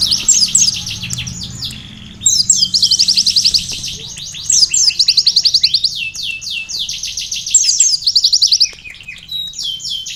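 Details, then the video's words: Energetic sunbird song carrying canary-like filling: long runs of rapid, evenly pulsed high trills alternating with clusters of quick downslurred chirps, phrases repeating several times with short pauses between them. "konin gacor isian kenari||asli suara burung kolibri isian"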